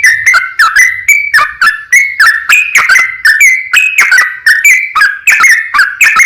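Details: Yellow-vented bulbul in long, rapid 'ropel panjang' gacor singing, used as a lure to make other bulbuls answer; bubbly whistled phrases near one pitch, repeated quickly and steadily throughout with brief sharp chirps between notes.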